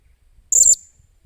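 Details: Blue-crowned hanging parrot in decoy training, 28 July 2021: one clear, shrill high squeak lasting about a quarter second over faint low background rumble.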